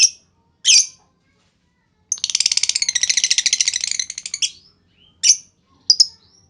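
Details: Lovebird luring call to set off long chatter in other lovebirds: isolated sharp chirps, then a two-second rapid buzzing rattle of fast pulses, followed by more single high notes.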